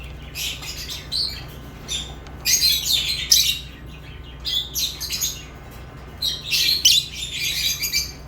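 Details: Lovebirds give bursts of shrill, harsh chirping in clusters separated by brief pauses, with louder squawky runs near the middle and end, over a faint steady low hum.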